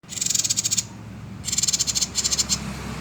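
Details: Common iora in the buzzy 'konslet' singing style, recorded for luring other birds into song: rapid high rattling trills of evenly pulsed buzzy notes in three bursts, separated by brief pauses, over a low background hum.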